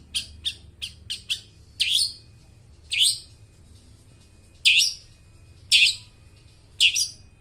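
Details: Long-tailed shrike used as a lure for mute birds: a few quick sharp ticks followed by loud harsh chirps spaced about one second apart, each a brief bright burst.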